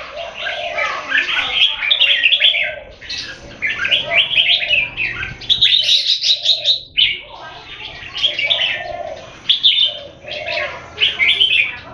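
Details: Competition singing by caged red-whiskered bulbuls in Singapore, an open-tail contender against a long, loud rival: lively chattering warbles in repeated bursts, with brief gaps and a louder higher phrase near the middle.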